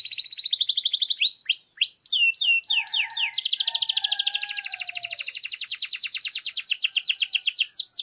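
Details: Loud song of a grey canary. A pulsed trill leads into a burst of fast downslurred whistles, then low sustained notes under a buzzy trill, and finally a long, accelerating rolling tour.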